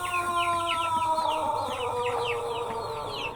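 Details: White Pelung chicken holding a long crow note: a steady, rich, harmonic tone runs through the whole stretch while many small birds twitter above it in rapid, downward-sweeping chirps.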